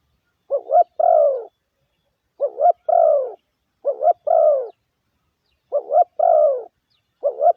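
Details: Lure cooing of a spotted dove, played to rouse decoy birds: paired short hooting notes followed by a drawn-out descending coo, about four phrases in quiet surroundings.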